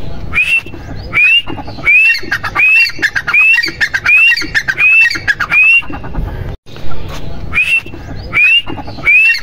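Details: Rhythmic grey francolin calling, upward-sweeping whistles trailed by clattering notes in steady succession, a brief gap midway, then the pattern resumes with a low rumble underneath.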